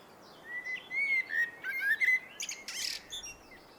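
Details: Singing blackbird: a run of clear, fluted, slightly rising and falling whistles, closing with a harsh, high scratchy flourish and a few soft chirps.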